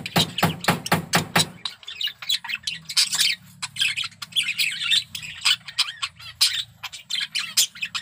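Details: Male budgerigar in breeding condition chatters in a dense scratchy warble of clicks and chirps, following a short stretch of thumping beat-heavy music at the start; a low hum continues underneath.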